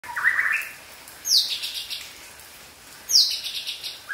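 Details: Young wild Aceh white-rumped shama from the forest singing: a rising whistled note, then sharp downward-sweeping high phrases about two seconds apart, each trailing into a buzzy flourish.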